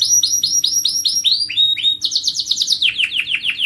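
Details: Canary song meant to get other birds singing: fast series of repeated downward-sweeping whistled notes, then a quicker rattling trill of high notes, switching to another descending repeated phrase.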